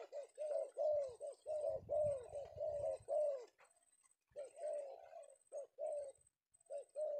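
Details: Male Penguku spotted dove captured one afternoon in Indonesia, a rapid run of throaty coos followed by a pause and slower spaced notes, with low knocking during the first phrases.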